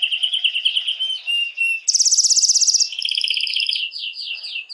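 A canary sings a bright, continuous song of high, rolling trills, shifting between rapid buzzy tours and clear whistled phrases. No other sounds intrude.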